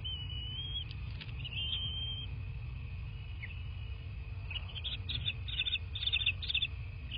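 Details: Bald eagle heard at its nest in southwest Florida on 13 March 2024 at 23:19 by a nest camera: two long, thin high whistles early on, then a quiet gap, then a run of quick chittering notes; low steady rumble throughout.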